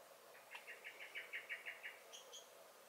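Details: In a garden on 23 May 2021, a common blackbird (Turdus merula) gives a brisk alarm run of about ten clipped chinks, followed by two thin, high notes at the end.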